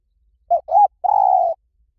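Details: Three-part coo from a spotted dove in the lui tan style, used for luring and training: two short soft notes then a prolonged mellow tone, sung once against a silent background.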